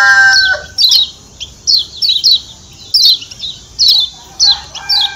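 A Lombok white-eye gives sharp, high chipping notes in quick clusters roughly every second. A lower whistled note opens the sequence.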